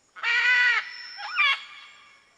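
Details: Red-and-green macaw giving a loud, raspy, drawn-out screech of about half a second, followed by a shorter wavering squawk that bends up and down, then fades in a quiet setting.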